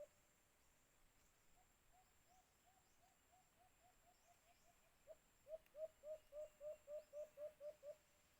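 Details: Alimokun, the white-eared brown dove, heard during cage-trap hunting: a faint run of soft low hoots, then about ten louder, evenly spaced hooting notes at a brisk pace.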